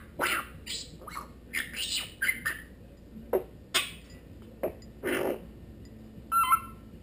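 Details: Pet African grey parrot, a Congo grey, female, aged 1 year 5 months, seemingly asking for apple or grapes, recorded on a GoPro Hero 2: irregular harsh squawks and short whistled notes, with one clear whistle near the end.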